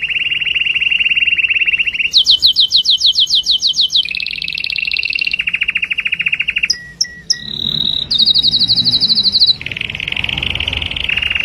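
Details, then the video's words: Canary song sung for mating, made of quick changing tours: rapid high rolling trills jump between pitches, with a very high buzzy section, a few short separate pips, then more rolled trills. "تغريد الكناري لتزاوج"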